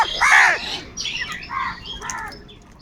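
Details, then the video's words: One loud, harsh caw, then two or three shorter, softer caws fading away, from crows fighting for food. "Kaka sound and noises of Crow birds | different kauwa ki awaz - কাকের ডাক Crow Sound Loudly"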